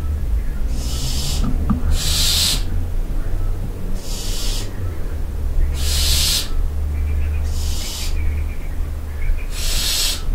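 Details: Barn owls at night in a castle dovecote at Barbirey-sur-Ouche utter a series of six harsh, sibilant hisses at uneven intervals, some paired closely, with a faint soft chatter and a persistent low hum throughout.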